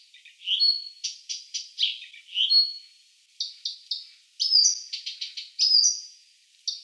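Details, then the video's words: Blyth's reed warbler (Acrocephalus dumetorum), a Russian forest-edge bird, sings a varied run of high, clear whistles and short dry chattering notes, phrases repeating every second or so, with nothing else heard. "Садовая камышовка (Acrocephalus dumetorum)"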